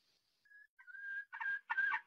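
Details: Red junglefowl crow used as a lure to trap male birds: a brief thin whistled note, then a harmonic crowing phrase broken into short bursts near the end.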